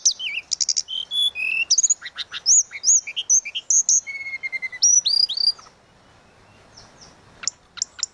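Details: Lively flute-like song of a tledekan laut kept as a tutor bird: fast varied run of high whistles, chips and short slurred notes for five seconds, then near silence broken by a few sharp high ticks.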